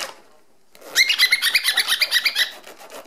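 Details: Pet cockatiel, male, calling excitedly in response to a zipper being opened and closed, demanding that it continue. After a brief quiet, a rapid run of about a dozen bright, even chirps fills a second and a half.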